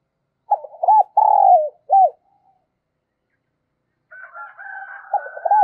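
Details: Spotted dove used as a decoy, calling to lure wild birds. One complete cooing phrase has rapid arched notes, a long coarse note and a closing coo. After a pause, a steady high whistle from another bird overlaps the start of the next phrase.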